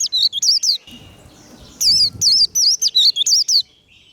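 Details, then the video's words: Vành khuyên in líu-style fighting song meant to fire up rivals: a short run of high wavy whistles, a brief pause, then about ten more rapid looping notes. "Vành khuyên líu đấu. Khuyên líu kích bổi. Kích lửa vành khuyên líu đấu"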